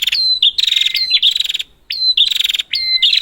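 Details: Prinia, used as a lure for prinias that have stopped calling. Loud, high, buzzy rattling trills open with a sharp upslurred note. They repeat about once a second with short gaps. A thin steady whistle sits below some phrases.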